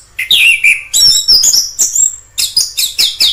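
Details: Orange-headed thrush singing wild: a falling whistle followed by dense, high twittering and a string of rapid repeated sharp notes near the end.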